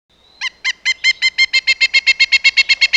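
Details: Woodpecker giving a fast series of about sixteen harsh, nasal, evenly spaced notes, beginning with a faint thin whine and then repeated roughly six times per second at steady loudness, with nothing else audible.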